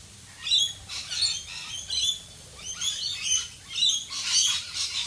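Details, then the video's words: Rainbow lorikeets calling in the rain in Australia, a flock's piercing squeaky screeches in repeated bursts about every second, overlaid on continuous rain hiss. "Australian Rainbow Lorikeets Singing in the rain."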